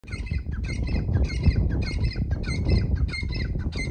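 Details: Partridge calling: harsh, squawky, harmonic notes in rapid bursts, about a dozen in four seconds, over steady loud low rumbling background noise.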